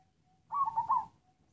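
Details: Zebra dove, a black local perkutut, with one short stuttering phrase of three or four warbled coo notes bunched together, clear against a quiet background.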